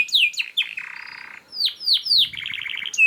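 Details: Rapid canary song played to prompt and train other canaries: sharp downslurred chirps, a buzzy low trill, three loud sweeping whistles falling in pitch, then a quick pulsed trill.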